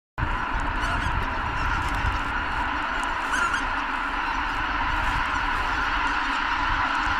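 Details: A huge flock of greater white-fronted geese calls as it takes off all at once, apparently startled, at Kabukuri-numa just before sunrise on New Year's Day 2022. Their calls form a dense, unbroken roar of high, yelping honks over a low rumble.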